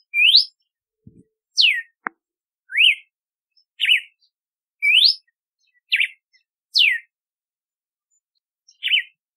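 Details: Red-cowled cardinal song, also known as galo-de-campina: loud, clear whistled phrases roughly one per second. Rising slurs alternate with steep falling notes and zigzag warbles, and a soft low thump and a click are heard early on.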